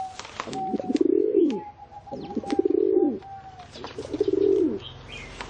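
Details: Three throaty pigeon coos, each a rolling low phrase ending in a downward slide, spaced about one and a half seconds apart, with a thin high tone and light clicks behind.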